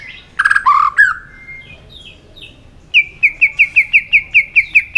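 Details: White-rumped shama singing competitively: a buzzy, fluty phrase, faint whistles, then a steady series of about ten quick, even, sharp notes.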